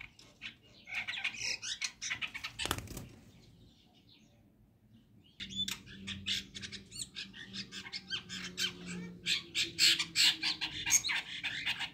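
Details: Early-morning chestnut-tailed starlings calling to one another: scratchy chatter, a sharp click, a quiet pause, then a longer stretch of dense, fast squeaky chattering over a low hum.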